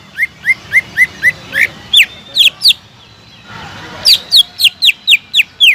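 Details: Greater green leafbird song for stirring silent leafbirds: a run of short lower whistles, louder falling slurs, a brief hissy pause, then a fresh sequence of strong downward whistles at a brisk, even pace.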